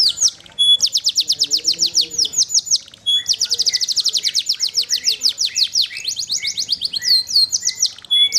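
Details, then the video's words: A champion canary sings fast rolling trills of high, down-slurred notes, eight or more a second, in long bursts with a brief break midway. "Suara burung kenari jawara"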